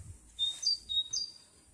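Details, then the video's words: Songbird in May 2021 giving three brief, very high, pure whistled notes in quick succession over a quiet background. "пение птицы"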